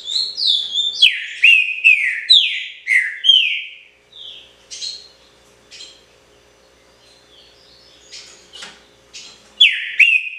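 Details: Trinca-ferro, a Green-winged Saltator kept as a cage bird, delivers pixarro-style song. A rapid string of rich downward-gliding whistles gives way to softer scattered notes and faint chips, and a strong whistled phrase returns at the end.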